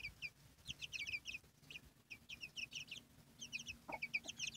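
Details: Chicken chicks with their mother hen peeping: many short, high, bright chirps overlapping in quick bursts, with a single lower note near the end.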